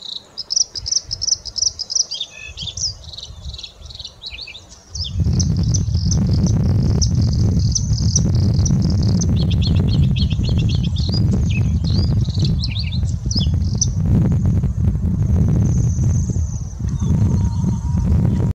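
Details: Bluethroat (Luscinia svecica) singing in Lapland, a rapid, varied stream of high, ringing and scratchy notes over heavy wind rumble.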